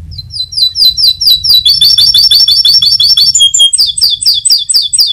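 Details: White canary singing 'gacor nembak' style as a lure to make other birds respond: rapid bright repeated high syllables, about one or two a second, in quick chirping series that shift pitch midway, with a faint low hum underneath.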